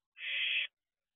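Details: Owlet of a barn owl at an owl box, 4:31 am on 6/2/23, looking around outside, giving a single drawn-out hissing screech of about half a second that swells slightly and then stops abruptly.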